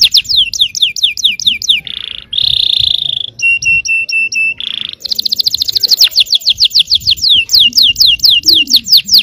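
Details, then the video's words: Yellow canary singing a song meant to provoke other canaries into singing: loud, fast runs of repeated descending whistled sweeps, broken by buzzy sustained rolls and ringing metallic trills, then rapid sweeping phrases again. No other sounds stand out. "suara kenari kuning bon yang sangat efektif memancing emosi.. belum ada 10 detik pasti nyaut gacor!!"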